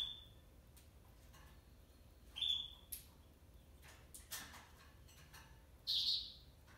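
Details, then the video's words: Male African yellow canary (Serinus flaviventris) gives a few brief, high, sweet whistled notes and one short buzzy trill, spaced by pauses, with faint clicks and taps between. "African yellow canary male"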